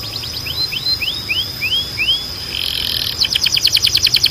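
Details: Canary song for training: a row of six evenly spaced rising whistled slurs, then a buzzy burst and a quick repeated chattering trill, over a steady high tone and faint low hum.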